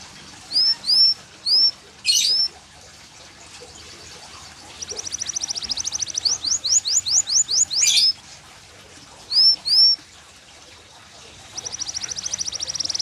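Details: Varied yellow canary song: paired upswept whistles, a sharp burst, a long rapid rattling trill of clipped notes, more paired whistles, and a final fast buzzy roll, separated by short pauses, over faint background hiss.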